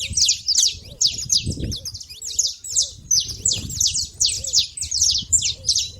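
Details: Noisy saffron finches gathered at a feeding place, giving bright, falling chip notes in irregular clusters, several birds at once, with faint soft lower whistles and a brief low rumble.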